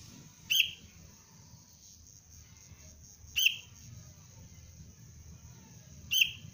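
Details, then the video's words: Three brief, bright chirps spaced roughly three seconds apart from a young sooty-headed bulbul undergoing basic lure training, over a constant thin high-pitched whine and soft low background noise. "Anak kutilang pelatihan dasar untuk pikat Cengkram"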